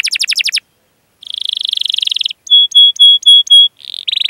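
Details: Canary master song for luring and training young canaries: a quick run of chirps, a pause, a long buzzy roll, five loud pure whistled notes at steady intervals, then a short buzz and another roll.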